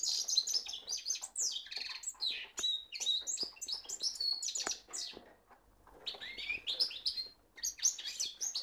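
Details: Caged male goldfinch mule, a goldfinch hybrid, in full song: a fast, continuous run of high twittering notes, sharp chirps and short whistled slurs, with a brief pause near the middle before the warbling resumes.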